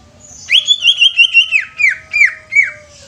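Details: Greater green leafbird song: a rapid run of bright, slurred whistles sliding between high and mid pitch, then four separate downward-swooping notes spaced about a third of a second apart, with a faint steady hum underneath.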